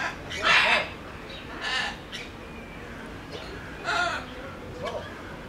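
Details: Sulphur-crested cockatoo in captivity at Belgrade Zoo, Serbia, recorded in 2021: harsh, broad raspy screeches, a loud one near the start, another soon after and a third later, with quieter noise between.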